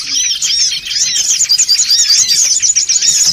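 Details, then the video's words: Songon otong lure recording of the noisy kind: shrill, arched chirps tumble over one another in a fast, steady stream of twittering from several birds. "SUARA PIKAT SONGON OTONG (RIBUT)"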